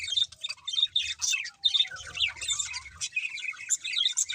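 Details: Budgies eating while they sing give quick repeated whistled chirps and scratchy warbled phrases, some notes sliding up and down, in a steady run of short bursts with faint low rustling.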